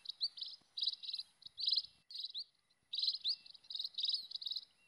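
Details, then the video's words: Buzzy, high pulsed bursts from wild scaly-breasted munias, interspersed with short upward-sweeping whistles, with a brief pause around the middle before calling resumes. "SUARA BURUNG PEKING LIAR"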